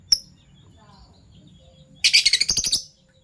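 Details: A Fischer's lovebird, one of a PB violet and a Euwing gold opaline pair, in the morning gives one sharp chirp, then a rapid, harsh burst of about a dozen shrill chirps lasting under a second.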